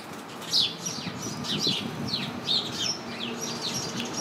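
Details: A house sparrow chirping from a bush crowded with other house sparrows, giving sharp, downward-sweeping chirps in quick irregular succession, roughly two per second, with other sparrows faintly chattering behind.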